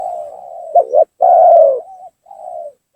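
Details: Spotted dove lure call used in bird trapping to draw down and provoke rival doves: low hollow coos with a quick stuttered double note, a long sustained coo, then a softer trailing coo. A faint high steady tone is also present.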